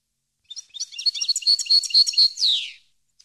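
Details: A European goldfinch sings for training captive birds: scattered high twitters merge into a rhythmic string of bright repeated chips, ending in a drawn-out falling rasp.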